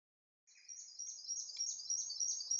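A Large-billed Scrubwren gives a rapid, unbroken stream of very high, thin twittering notes with no pauses, over a quiet background.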